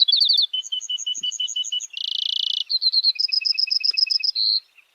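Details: Brewer's Sparrow singing an exceptionally long song, a high, varied series of trills: quick paired notes, then a dense buzzy trill, then more rapid chips and whistled notes.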